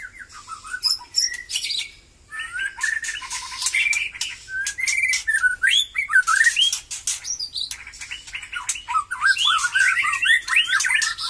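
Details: White-rumped shama of Batu Kurau stock, its post-moult song growing lively. It gives fast, varied whistled phrases with swooping slurs and chattering trills, pouring out almost without pause.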